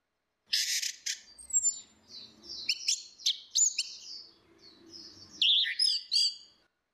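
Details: Orange-headed thrush, female and male singing against each other in a full open song style used as a lure: a varied run of loud whistled and buzzy high phrases, sharp slurs and trills with brief gaps.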